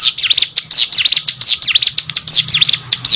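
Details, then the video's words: Hill prinia singing vigorously: loud, high, rapidly repeated V-shaped sweeping notes, each dipping and rising sharply, delivered in quick bursts with brief gaps, close and clear. "burung ciblek gunung gacor"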